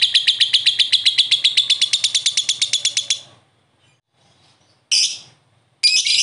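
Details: Answering another lovebird, a prospect bird gives a three-second burst of rapid, piercing chirps in ngekek style, then silence broken by two short harsh squawks.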